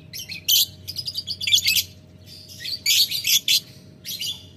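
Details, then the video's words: Ngetik ngekek chatter from a lovebird calling a rival: quick strings of sharp, high, grating notes in two bursts separated by a brief quiet spell. "Lovebird Memanggil Lawan Ngetik Ngekek"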